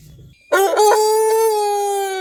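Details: Rooster crow starting with a sharp broken onset, then a sustained strong, buzzy tone held level to the end of the clip.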